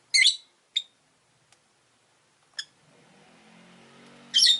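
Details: Pet rosy-faced lovebird among five caged by a window, giving a run of sharp shrill chirps and short squeaks, with a low engine hum from the street rising toward the end.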